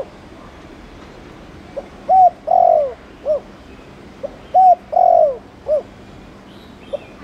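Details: Spotted dove of the Thổ Đồng type, giving chiêu and gù coos meant to stimulate other doves to coo: two matching phrases, each a soft short note, a clear mellow coo, a longer rich drawn-out coo and a closing short note, about three seconds apart.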